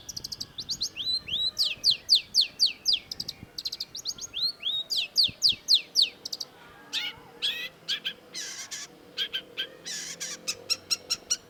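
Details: Long-tailed shrike in energetic, long-running song: quick runs of sharp, downslurred high whistles in tight bursts, then a stretch of rapid scratchy chattering and buzzy notes, all high-pitched and densely packed.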